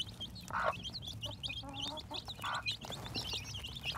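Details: Chicks hatching in spring 2021: continuous overlapping high-pitched peeps and cheeps from several chicks, interrupted by a few soft lower clucks and a constant low hum.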